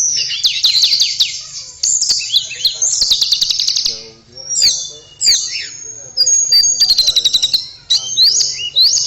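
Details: Lively blue flycatcher (tledekan) song of shrill whistles, fast descending notes and buzzy trills in rapid bursts, with brief pauses and a low hum underneath.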